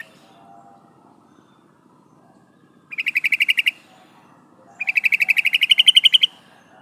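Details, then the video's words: Calling to the male, a female yellow-vented bulbul gives a short burst of rapid chattering notes, then a longer run of about twenty quick, harsh notes after a brief pause. "suara burung trucukan betina memanggil jantan"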